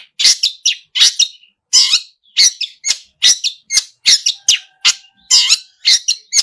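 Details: Vigorously singing long-tailed shrike, known locally as pentet, with a mimic-rich song: a steady run of harsh grating chacks about twice a second, with faint thin whistles behind.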